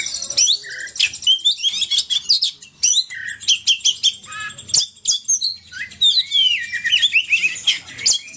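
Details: Oriental magpie-robin song delivered vigorously: bursts of sharp high chirps, rich whistles and fast twittering, with short pauses between phrases and gliding whistled notes.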